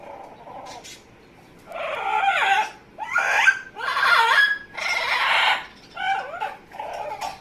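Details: Pet Amazon parrot making funny noises: a run of harsh, nasal, buzzy squawks with wavering tones, in bursts of about a second repeated almost once a second, the louder middle bursts rough and wide-ranging, softer calls at start and end.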